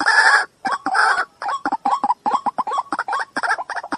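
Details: A white-breasted waterhen gives two long harsh croaks, then a quick jumble of short, choppy clucking notes in uneven rhythm.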